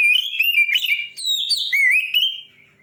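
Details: Loud, dense whistled warbling from a white-rumped shama, played to make other shamas sing; slurred notes rise and dip in quick succession, then fade.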